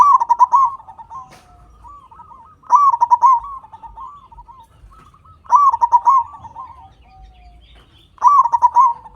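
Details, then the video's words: Loud local zebra dove song played as a master and lure for silent caged zebra doves: four phrases of quick, bubbling staccato coos about every two and a half seconds, separated by softer wavering notes. "Perkutut Lokal Gacor Suara Besar Pancingan Burung Perkutut Agar Cepat Bunyi"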